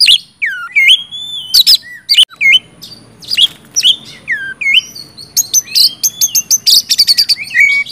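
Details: Loud, varied oriental magpie-robin song in the gacor ngeplong style, intended to spur reluctant birds to sing: looping whistles and down-curving notes mixed with sharp clicks, becoming a fast, dense string of chips toward the end.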